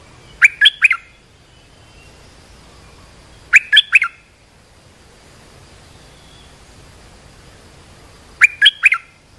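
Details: Olive-winged bulbul call for training young birds and luring wild birds: three brief clusters of quick, bubbling chirps, each about half a second long, repeated roughly every four seconds over a quiet background.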